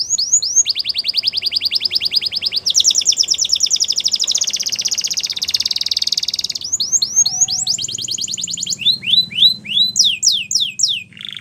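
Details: Canary singing a training song: a rapid steady trill of repeated downslurred notes flows into a dense rolling buzz, then looser chirps and descending whistled sweeps, with a low hum underneath.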